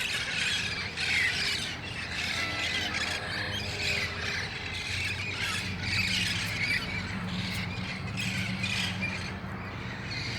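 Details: Wild red-faced parrots congregating at dusk in El Cajon on August 1, 2018, before going to nearby roost trees; dense screeching and squawking continues throughout, louder bursts near the start, over low background hum.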